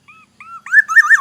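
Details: Short excerpt of Black-naped oriole song from Aceh, Indonesia: two even whistled notes, then the loud start of a fluty, wavering warble cut off mid-phrase.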